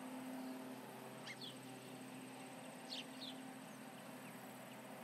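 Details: Osprey at the Charlo nest, July 29, 2019, 11:30 am MDT, calling with intruders around: two short pairs of sharp, high, downward-slurred whistled chirps near one and three seconds, over steady low hum and background hiss.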